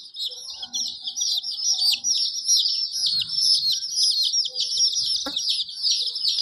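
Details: Chicken, a hen with colorful chicks: a dense, continuous chorus of high, overlapping chirps with brief clucks and a sharp knock near the end.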